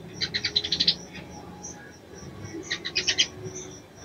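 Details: Female crimson sunbird calling the male to stir him to mate: two bursts of rapid, high chips, each about six to eight notes long, separated by a quiet gap, with low background noise.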